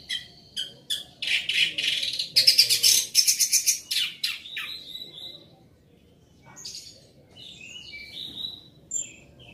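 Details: Orange-headed thrush singing at full volume: rapid rattling bursts and buzzy repeated notes in a long run, fading into softer scattered whistles and slurred high notes.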